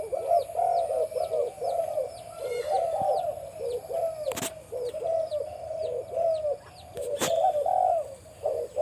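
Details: A deep-voiced male spotted dove used for breeding at a farm gives a long, continuous series of low, warbling coos. Two sharp clicks sound, and high chirps from other birds repeat throughout.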